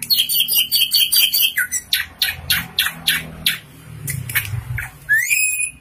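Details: Tame drongo in full, active song with a rich stock of learned phrases: rapid series of sharp high chirps and clicks, then a rising whistled note at the end; faint low background rumble.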